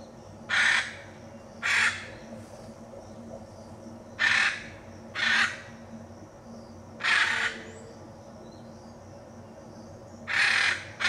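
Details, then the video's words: Hyacinth macaw in the Pantanal, Brazil, giving loud harsh raucous squawks, six broadband calls spaced irregularly about one to three seconds apart over a low steady background hum. "Hyacinth Macaw. Pantanal, Brasil"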